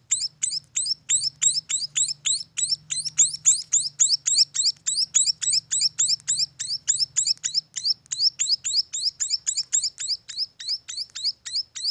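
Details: Munia nestlings producing an unbroken run of bright, high-pitched chirps at a fast, even pace of roughly three and a half per second, a soft low hum in the background.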